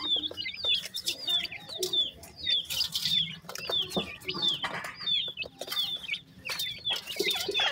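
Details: Partridge chicks, young birds in Pakistan, giving many thin, high, rising-then-falling peeps that overlap in a steady busy chorus, with soft rustling and faint clucking beneath.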